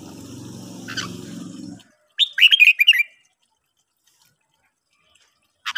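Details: Morning song of a red-whiskered bulbul in training: after a low humming noise with one chirp, a quick phrase of bubbly, slurred whistles follows, then a final short note.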